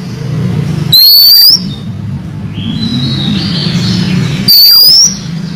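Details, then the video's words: Female oriental magpie-robin calling the male, used as a lure for caged males; two loud, clear whistles rising in pitch, each about half a second long and three seconds apart, over a steady low hum. "Pancingan siulan kacer betina memanggil jantan"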